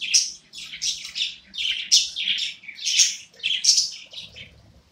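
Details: A pet budgerigar sings happily: a loud, rapid run of buzzy, squeaky warbled notes. Chirps repeat in quick clusters about every half second, and faint low rustling comes near the end.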